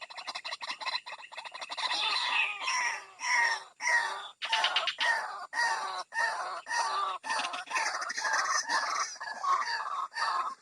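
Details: Lure sound of a white-breasted waterhen to flush birds from dense bushes: rough, nasal croaking notes, strongly repeated in an uneven rhythm of one to two per second, continuous throughout.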